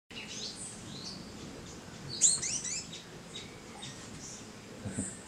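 Saw-billed hermit giving thin, very high chips and a quick burst of sharp descending squeaks midway, over steady forest hiss.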